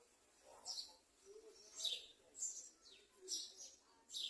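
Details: Garden sunbird nestling being fed at the nest: short, sharp, high chirps repeated about every half second to a second, each a quick downward flick, with faint lower murmurs between them.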